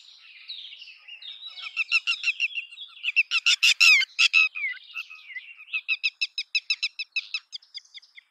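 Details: Red-wattled lapwing, known as tateri, giving loud, shrill, clipped notes in quick succession, about three each second. The notes build to a harsh, loud cluster midway, then ease into a steadier repeated series.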